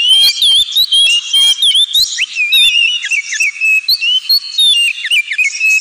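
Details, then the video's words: Oriental magpie-robin singing in the ngemplong style, a recording meant as therapy for pet birds: rapid, varied high whistles, slurred up-and-down phrases and sharp chips follow each other almost without pause, bright and loud throughout. "KACER NGEMPLONG"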